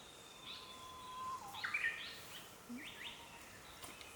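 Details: Wild male Japanese paradise flycatcher sitting on eggs at its nest in green woodland; a steady thin whistle, then a cluster of bright, scratchy high notes, and two more short upward-swept phrases, while other birds call softly around.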